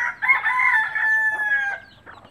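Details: Native country hen calling her chicks to food: a loud, drawn-out harmonic call lasting over a second, followed by a short, softer note.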